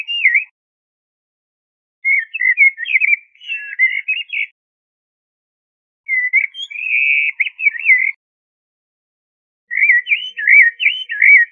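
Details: Quieter series of four warbled phrases from a common blackbird (Turdus merula), each made of quick wavering fluty notes, separated by pauses of one to two seconds.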